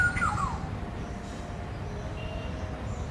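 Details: Short harsh nasal call from a black-hooded oriole right at the start, falling quickly in pitch, followed by quiet background hum.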